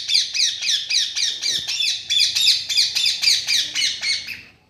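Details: Green parrot calling in a fast, steady run of rasping screechy notes, about fifteen in four seconds, evenly spaced and trailing off at the end, over faint low background rumble.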